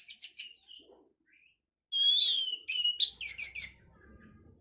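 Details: Kacer, the oriental magpie-robin, singing to bring on breeding condition: a clear slurred whistle followed by a run of five loud repeated chipping notes, with a faint low hum behind.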